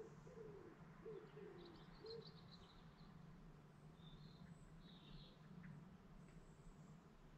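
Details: Birds at dawn by a lake in the Lake District National Park: a few low coos open the passage, then scattered high thin whistles and faint twitters follow over a continuous low background hum.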